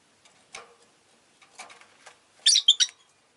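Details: Pet rosy-faced lovebirds in a chatty mood: quiet rustles and taps give way to a rapid burst of three piercing, squeaky chirps near the end.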